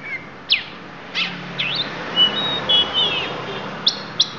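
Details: Lampung oriental magpie-robin producing isian notes: sharp falling whistles, a bent chirp, then smooth level and gliding whistles, ending with two abrupt high clicks, against low hum.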